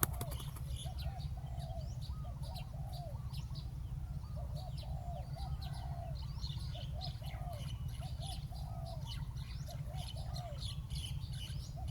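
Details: Spotted dove calling at a ground decoy site to draw a wild bird down: soft, repeated hooting coo phrases at a low pitch, steady through the recording, with scattered higher chirps from small birds and a constant low rumble.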